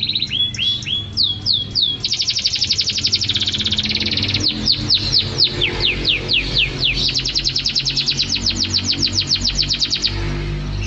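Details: Canary song for training songbirds: rapid rolling trills of repeated downward-sweeping high notes, about four per second, shifting between phrases of different pace, with low background hum.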